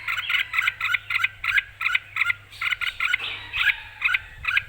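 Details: Spirited Red-whiskered bulbul singing loudly and clearly, ready to compete: an unbroken string of bright chirped note pairs, evenly repeated roughly three times a second, with a brief blurred phrase midway, over a low hum.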